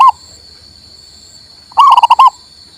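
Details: Local male zebra dove, heard in a recording for encouraging a silent bird to sing: a brief coo, a pause, then a phrase of a rising coo followed by rapid throbbing notes.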